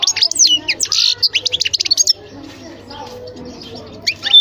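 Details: Goldfinch song: about two seconds of rapid, tinkling high twitters and short slurred notes in quick bursts. Near-silence follows with a faint low hum, and a final brief chirp closes it.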